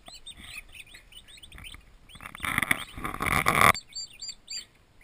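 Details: A nursery of twenty newly arrived baby turkeys on a farm, chirping in rapid, looping high peeps from several birds at once, broken midway by a loud burst of rustling, scraping noise before the peeping resumes.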